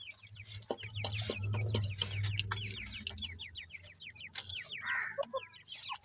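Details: Francolin chicks feeding, a steady stream of sharp downslurred cheeps repeated several times a second over a low droning hum.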